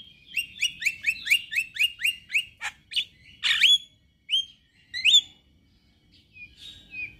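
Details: Song of a male Javan myna with white eyes, which reportedly makes any myna start singing: a repeated series of short upslurred whistles, then scattered louder rising whistles and a harsh note.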